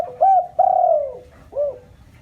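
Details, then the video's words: Spotted dove lure call for stirring up a decoy bird: three low, mellow coos, the middle one long and gently falling, the last short and rounded, with no other sounds. "tiếng chim cu gáy mồi chuẩn cực hay kích bổi"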